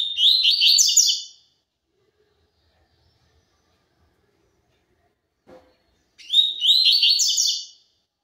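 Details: Double-collared seedeater singing the pure 'tui tui zel zel' song style: two quick, high, buzzy and twittering phrases, each about a second and a half long, separated by a long silence with one soft tap.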